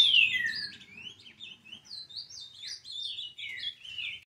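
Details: Ultramarine grosbeak, an 11-month-old brown-plumaged bird, singing steadily. The song opens with a loud, clear, descending whistle, then runs into a continuous stream of quick, slurred, high warbled notes in short linked phrases. A faint low hum lies underneath.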